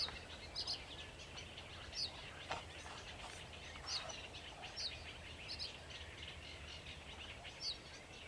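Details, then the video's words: Sedge warbler song recorded 28 June 2021 alongside a second singing bird: bright, high squeaky notes every second or so above a dense, scratchy lower chatter. "Śpiew rokitniczki"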